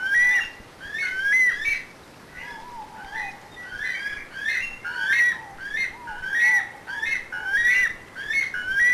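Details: A Weka, a flightless New Zealand bird, gives its distinctive call: shrill, rising whistled 'coo-eet' notes, repeated about once a second, mixed with lower, softer slurred whistles.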